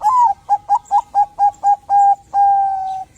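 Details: A Bangkok-type zebra dove in prolific song, meant to prompt others to sing: an opening rising coo, seven quick bubbling notes, two longer ones, then a long level closing coo.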